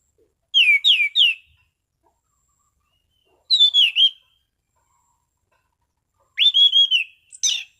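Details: Relaxed, clear song of an orange-sided thrush: three separate bursts of bright whistled, looping phrases mixed with thin high notes, spaced about three seconds apart in a quiet setting.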